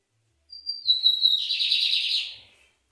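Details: Lined seedeater (bigodinho) song: clear high whistled notes that step downward, then a long rapid buzzy trill lasting over a second and fading out. The bird is described as found across Brazil in shrubby clearings, plantations and tall grass near water.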